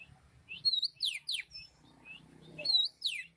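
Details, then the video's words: Bird song made of fast, very high chirps and downward-sweeping whistles in short bursts, with brief pauses between phrases. "Kicau burung cantik"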